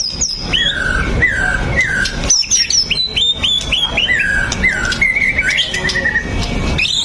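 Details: White-rumped shama song played to prompt other shamas to sing continuously, a series of clear whistled notes, many sliding downward, some high sharp phrases, repeated about every second over a loud, rough background hiss.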